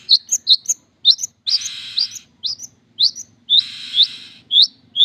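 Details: Long-tailed shrike song of sharp rising whistled chirps and slurred upward notes, interspersed with two long harsh buzzy rasps, irregular in rhythm; faint low hum underneath.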